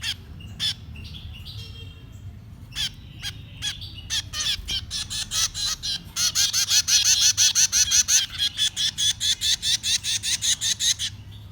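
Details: Nestlings begging while being fed: sparse harsh calls at first, then an accelerating, intense run of loud raspy screeches, several per second, that continues to the end.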